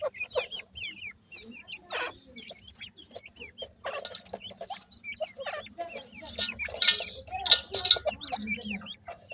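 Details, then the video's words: Baby francolins in summer calling with many thin, descending cheeps repeated in quick irregular series, louder chirps near the end and a low background hum. "African pheasant bird chicks,baby francolin are happy in summer"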